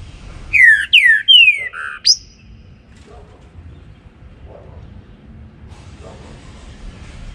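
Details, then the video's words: Morning singing by a green-winged saltator (trinca-ferro): four quick, loud, downslurred whistles and a sharp rising final note within two seconds, followed by several seconds of low background noise and faint distant sounds. "TRINCA FERRO BARUC CANTANDO PELA MANHA"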